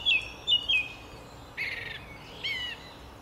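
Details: Song thrush singing at dawn in a Cardiff park: a short, high whistled note given three times in quick succession, then a brief buzzy phrase and a final whistle, over soft hiss; a male repeating phrases to attract a female.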